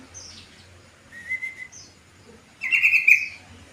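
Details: Yellow-vented bulbul calling in the afternoon as a lure meant to draw other bulbuls to answer. Bubbly, gurgling notes: a short warbled phrase, then a louder burst of rapid chattering notes near the end, with faint high chirps behind.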